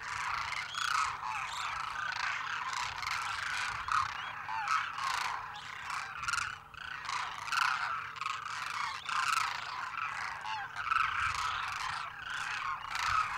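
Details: A big flock of demoiselle cranes, migratory birds of central Eurasia, keeps up a massed chorus of harsh, rolling croaks and trumpeting notes, many birds overlapping in pulses, with a faint steady hum underneath.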